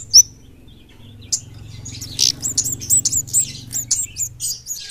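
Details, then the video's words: Singing kemade flowerpecker, a lively gacor bird delivered fast and dense: after a lone high note, a run of sharp, high-pitched chirps and short downslurred whistles builds steadily over a low background rumble. "Kemade gacor ngeplong speed rapat kemade gunung vs kampung"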